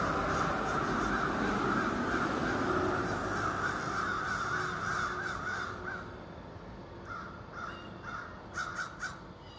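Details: Over 30 ravens living in trees across a street give harsh, croaking caws at morning wake-up in a dense, overlapping chorus that thins after a few seconds into scattered repeated calls, over a steady background hum.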